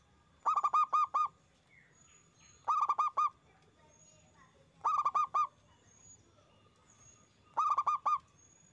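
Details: Zebra dove lure recording of loud local song meant to prompt other doves to answer: four bursts about two seconds apart, each five rapid, evenly pitched staccato coos, with faint high whistles between phrases.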